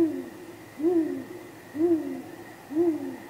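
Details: Great grey owl pair at their nest on 23 Apr 2019, from about 9:39 pm: soft, low, slightly arched contact hoots, one roughly every second, with a response and possible mating, over a faint steady hum.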